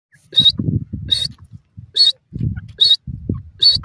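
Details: A francolin (dakhni teetar) calling in grassy vegetation gives five harsh, high, screechy notes, one roughly every 0.8 seconds, over a low rustling rumble.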